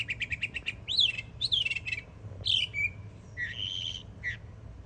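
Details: Young Northern mockingbird in Florida delivering varied song: rapid stuttered notes, then loud downslurred whistles, a buzzy phrase and a drawn-out harsh note, closing with a short chirp.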